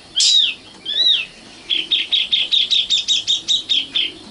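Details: Nightingale song, called sikatan londo locally. Two loud, full arched whistles lead into a long, steady run of about twelve sharp, ringing repeated notes at a brisk, even beat.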